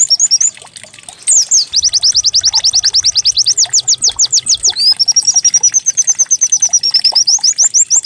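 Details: White-eye lure song to coax a caged bird into singing, likened to a canary: short high chirps, a pause, then a rapid volley of downward-sweeping notes, followed by a steady high trill.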